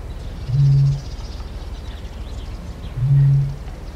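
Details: Eurasian bittern booming: two deep, foghorn-like hoots, each about half a second, spaced roughly two and a half seconds apart; faint small-bird calls behind, with blue tit, wood pigeon, wren and reed warbler in the background.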